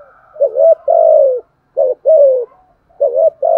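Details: Decoy spotted dove cooing to lure and provoke wild doves. Deep mellow phrases: a short rising note then a longer falling coo, repeated about three times with brief silences and no background sounds.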